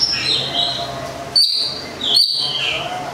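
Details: Local long-tailed shrike from Gedong Songo, Central Java, Indonesia, a kept songbird: thin high whistles slurring down, then two sharp rising notes about a second apart, over a faint hum.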